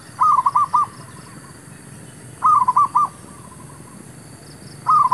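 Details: Decoy male zebra dove calling during bird trapping. It gives rhythmic phrases of several short, rolling coos, roughly every two and a half seconds, against a constant low background hum.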